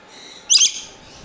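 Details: One piercing shriek from a Swainson's lorikeet, harsh and grating, in two quick pulses over about a third of a second against quiet room hum.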